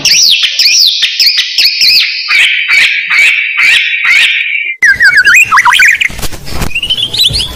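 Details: Shama song for luring untrained birds, rich in mimicked fills: a long rapid string of clipped, arched whistles repeated several times a second, then after an abrupt cut a jumbled warbling passage with sliding notes.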